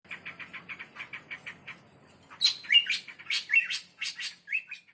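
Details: Bar-winged prinia calling vigorously, used to lure prinias: a fast run of short even chirps, then louder, sharper chirps and brief rising whistles in irregular bursts.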